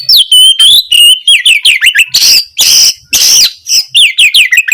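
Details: Oriental magpie-robin singing energetically to stir a reluctant bird into song; clear whistled phrases alternate with three loud harsh scratchy bursts, followed by quick downslurred notes.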